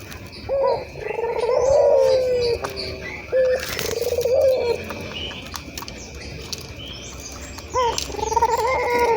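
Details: Ringed turtle dove of the local puter type, an active caller played to get doves cooing; a few long, low, steady coos with hooked starts, separated by quiet gaps, with faint hiss behind.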